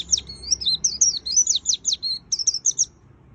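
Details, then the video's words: White-eye in lively full song, a rapid chatter of high thin whistled notes that slur up and down, about three per second, run into one unbroken phrase of roughly three seconds. "Suara Burung Pleci Gacor Full Isian - Tiếng chim vành khuyên líu"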